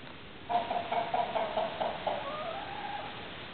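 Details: Household chickens and roosters: a quick series of about eight clucking notes, followed by a drawn-out, slightly rising note, over a steady hiss.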